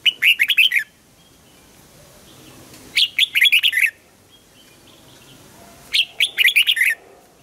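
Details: Red-whiskered bulbul singing at morning for song training, double-note old-forest style. Three lively phrases, each of seven or eight fast bubbling, downward-slurred notes, repeat about every three seconds over a faint background.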